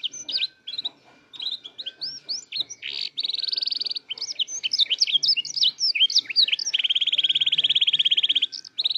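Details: Canary learning to sing and put its song together: a busy jumble of varied chirps and short slurred notes, with two long, even, buzzy trills lasting over a second each.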